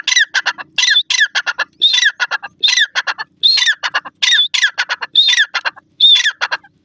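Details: Grey francolin, called Irani gora teetar, calling loudly: harsh, squawking notes in rapid ringing phrases, each phrase opening with a strained rising note then a run of short clipped notes, phrases repeating about every second over a quiet background.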